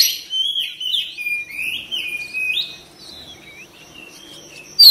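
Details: Magpie-robin song for stimulating fast response and full singing: a series of smooth rising and falling whistles for the first half, then near quiet with faint scattered notes and a sudden sharp note at the end.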